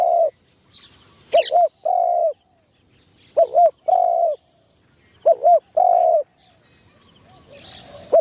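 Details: First tent-trap training of a decoy spotted dove used in trapping. It coos in a steady sequence: wavering two-part notes, each followed by a longer mellow hum, about every two seconds, with faint rustling between them.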